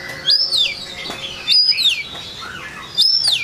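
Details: A white-rumped shama sings to provoke rivals, giving three clear arched whistles that rise and fall, about one every one and a half seconds, with softer twittering between them.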